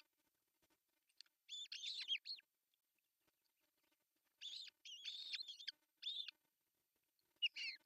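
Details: Osprey at an artificial nest in Pohjois Satakunta, Finland, June 10, 2024, the male arriving with a large fish; three bursts of high, piercing, chattering whistles separated by quiet pauses of about two seconds.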